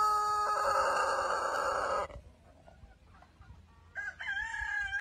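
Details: Rooster crowing: the raspy tail of a long crow cuts off at two seconds, then a hush and a brief second wavering call follows.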